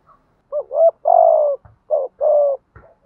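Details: Spotted dove in gù thúc, the urging coo style of southern Vietnam, used to rouse captive birds: two loud phrases, each a short rising note then a long hoarse level note, with faint clicks between.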